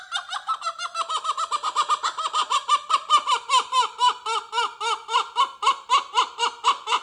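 A kookaburra laughs: a rolling run of loud, hoarse 'ha-ha' notes, about four a second, that build in strength and grow more excited.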